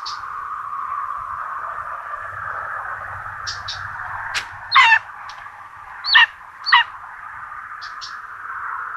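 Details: Common buzzards at a nest in Tiszalök, Hungary, on 26 June 2022, with two chicks fed a rabbit for breakfast; three short harsh calls stand out midway above a steady droning hum, with faint high ticks earlier.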